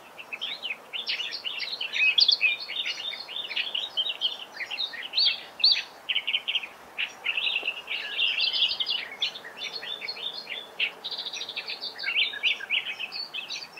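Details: Several Australian reed warblers at Laratinga Wetlands, South Australia, 9 January 2021, deliver fast, rambling songs of high chattering and churring notes, phrases repeated two or three times. A superb fairywren chips in against faint background noise.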